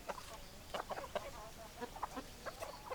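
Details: Chickens clucking in short, throaty bursts, several birds overlapping in a quick, irregular patter through the whole stretch; no crowing stands out, and the background stays quiet.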